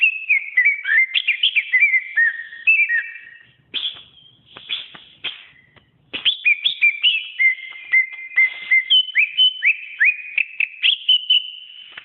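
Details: Pet greater green leafbird song used to train other caged songbirds: varied whistled phrases with quick slurs and steady notes, a pause with softer sounds midway, then fast repeated whistles resume.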